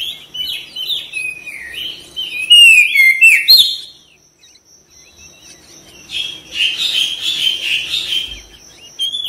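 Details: Oriental magpie-robin singing vigorously, a therapy recording to prompt quick response and tail spreading. Fast, varied whistled phrases build to a loud peak, fall quiet, then return as a harsher, buzzy chatter.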